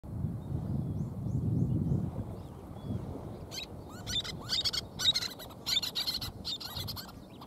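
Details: Little terns raising chicks, two of three eggs hatched perhaps a few days earlier, give a rapid series of sharp, high, rasping calls in quick bursts over a steady low rumble of wind or surf.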